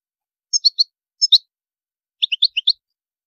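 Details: High maqam song of a European goldfinch. It opens with two short groups of clear ringing chirps, then after a pause a quick run of five descending-and-rising tinkling notes.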